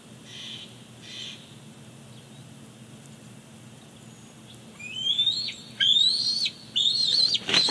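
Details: Big Bear Lake bald eagle nest, July 18, 2019: the male brings a fish and the chick takes it. After several quiet seconds, a burst of shrill rising whistles with abrupt downward ends comes in quick succession.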